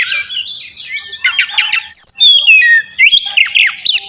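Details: Oriental magpie-robin lure song for provoking young birds to answer: a dense, rapid run of scratchy chips and slurred whistles, with a loud whistled sweep near the middle.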